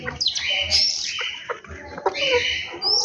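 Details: Birds at home in the morning, giving bright high chirps and thin whistled notes in quick bursts, with a short rising whistle near the end and faint low background hum.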